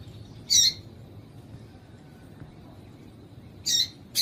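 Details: Female yellow-bellied seedeater call used to excite males: one sharp high buzzy note, a long pause, then two more quick notes at the end, over steady low hum.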